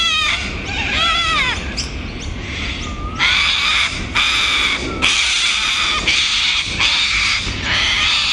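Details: A breeding pair of Little Corellas at Kurnell, NSW, Australia, excitedly inspect a tree hollow as a possible nest site, giving harsh, grating screeches in bursts of about a second, almost continuously, with a few shorter squawks between.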